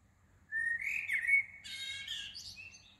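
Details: Early-morning song of a small bird at Shah Jahan Mosque in Woking, 15 June 2020: a sustained sweet whistle that leads into a burst of rapid, high, chattering trills, with faint low hum behind.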